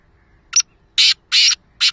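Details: Black francolin, or kala teetar, calling in a string of four loud, rasping, noisy notes. The first note is short and the next two are longer and scratchier, spaced about a third of a second apart. There is little background noise.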